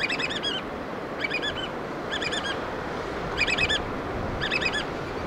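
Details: Black oystercatchers feeding their chicks: five bursts of loud, shrill, rapidly repeated piping whistles, each burst about half a second long, roughly once a second, over steady surf-like background noise.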